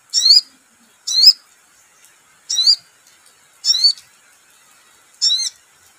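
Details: Sogon bird singing vigorously: five shrill, high, curling whistled phrases, each brief, spaced one to one and a half seconds apart in a regular rhythm.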